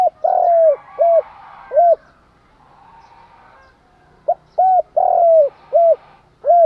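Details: Morning lure call of a spotted dove, used to provoke birds to fight and attract wild ones. Two phrases of deep hollow coos, each with a long falling note and short hoots, about four seconds apart.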